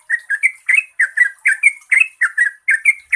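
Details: Yellow-vented bulbul lure song for birds reluctant to sing: lively, clear warbled notes, each phrase a quick rising-then-falling pair, repeated almost continuously at a brisk pace, with a thin high hiss behind.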